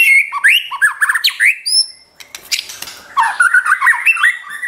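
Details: White-rumped shama song used as bait to rile and train a pet shama: quick rising whistles and high sweeping notes, a short pause with harsh scratchy sounds, then a fresh rapid stream of whistled notes.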